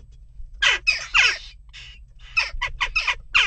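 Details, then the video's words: Western jackdaws at a nest box, unrest continuing: a burst of harsh, broadband chak calls, first clustered then a quicker run of short repeated notes, over a low steady hum. "Onrust blijft door--kauwen"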